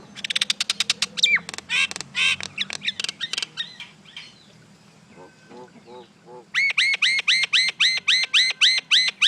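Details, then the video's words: Common myna (Acridotheres tristis) with a fast burst of clicking and rattling notes, soft gurgles, then a long steady series of loud harsh arched calls repeated rapidly. "Mynah Bird Acridotheres tristis, Little Mynah Bird making Noise"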